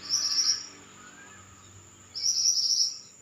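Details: Lively pied bushchat song, two brief high chattering phrases separated by about a second and a half of near silence, a constant thin high tone running underneath.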